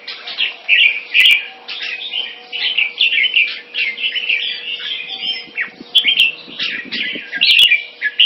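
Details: Jambul, or red-whiskered bulbul, a Singapore-kept champion-bloodline crossbreed, gives a busy stream of short warbled and chirped phrases, some with upward slurs, among clicks and a low background hum.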